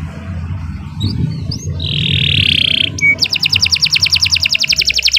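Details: Canary song meant as a master for young birds, opening with faint chirps and a rough buzzy note over low rumbling background, then a fast, even, high trill of repeated notes to the end.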